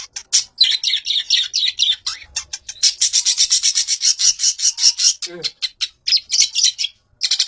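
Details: Long-tailed shrike, presented as a fighter master bird, in a dense burst of rapid scratchy chirps and harsh rasping notes that run almost without pause, with one lower, dropping note partway through.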